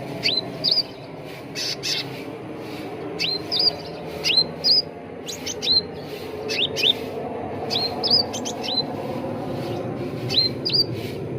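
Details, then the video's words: Sooty-headed bulbul lure calls used as training material to bring birds into full song: sharp, high chirps with quick rising and falling twists, given in small bursts of two or three, over a steady low hum of background noise. "SUARA PANCINGAN CUCAK RANTING BAHAN AGAR CEPAT GACOR || MASTERAN CUCAK RANTING"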